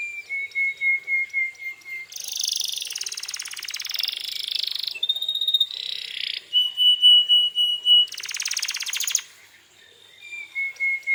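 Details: Singing canary used to goad other canaries into replying: clear held whistles at different pitches alternate with dense harsh rattles and short buzzy bursts, with quick chip series at the start and end.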